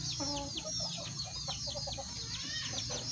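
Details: Kukuak Balenggek roosters, a red one and a yellow one, tested against each other in one cage: short tonal crow syllables in stepped, broken series, under constant high chirping of small birds.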